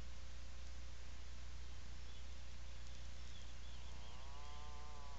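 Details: Atlantic puffin inside its nesting burrow on Seal Island National Wildlife Refuge, Maine, recorded on 17 July 2018 in the afternoon; a low, wavering moan with stacked harmonics rises near the end over a constant deep hum.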